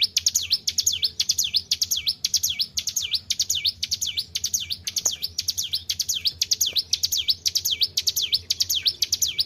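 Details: White-browed shortwing, a kept bird singing actively after care, gives loud, sharp downslurred whistles, each dropping then rising in a V shape, repeated about twice per second in a steady run; low hum underneath.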